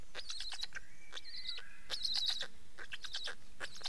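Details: Black stork: rapid bursts of harsh, raspy pulses with a hissing upper edge, broken by short gaps, while a faint thin whistled tone runs underneath.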